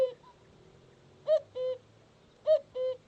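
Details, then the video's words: A cuckoo gives its two-note 'cu-coo', a higher note dropping to a lower one; the pair comes twice, a little over a second apart, over a quiet background. "The cuckoo sound"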